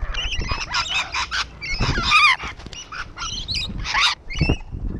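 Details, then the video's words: Rainbow lorikeets perched on a wall give harsh, grating screeches in rapid bursts, several birds overlapping, with some low rumbling noise underneath. "Rainbow Lorikeets on the wall"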